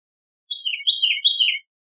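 A Bicknell's thrush sings a thin, fluty song of about three slurred phrases, each sliding downward, lasting just over a second against a quiet background.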